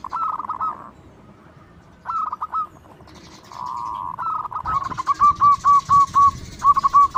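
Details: Local zebra dove in full, loud song, used as a lure to draw out other doves: clear mid-pitched cooing phrases, then a run of evenly spaced, rapidly repeated pulsed coos, with faint higher sounds behind.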